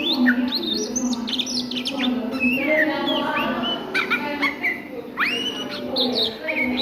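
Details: An Oriental magpie-robin sings at midday, mixing high sharp whistles with swooping upslurred notes and chattering bursts, a loud rising whistle near the end, steady low hum underneath.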